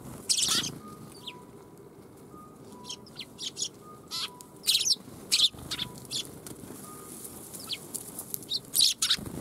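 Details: Several sparrows come to be fed at a Tenmangu shrine on 1 January 2021, giving short, sharp chirps in loose bursts, with some scraping or rustling noises and a few steady, thin beeping tones in the background.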